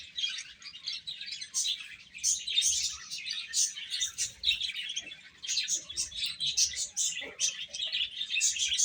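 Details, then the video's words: Baby chickens chirping while eating: a dense, overlapping chorus of high, short peeps from many chicks, rising and falling in loudness with no pause. "Cute Chicks Chirping Sounds | Little Baby Chicken Eating"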